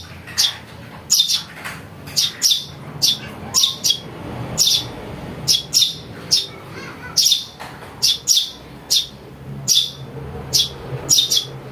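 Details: House sparrow chick giving rapid, rasping high chirps, many in close pairs, repeated steadily throughout, in a recording used to lure birds.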